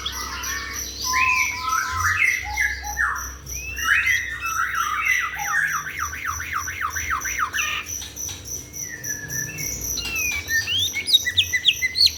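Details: White-rumped shama singing vigorously after bathing: a rich, varied run of whistled phrases and rapid repeated rising-falling notes, with a faint steady insect hum beneath.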